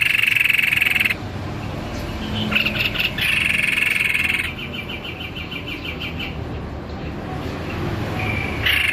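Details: White-necked babbler in energetic song, opening with a buzzy trill, then a run of rapid chirps and another trill, with steady background noise throughout.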